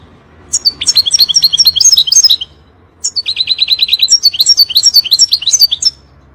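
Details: European goldfinch singing 'fire' song for young birds to learn: two long phrases of tinkling, varied twitters, the second including a quick run of identical repeated notes.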